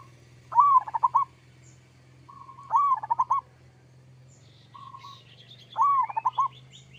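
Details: Singing local perkutut, a zebra dove, in energetic 'kerot' style used to draw replies from other doves: three phrases roughly every two and a half seconds, each an arching swell into quick clipped coos, with softer purring notes between and faint chirps.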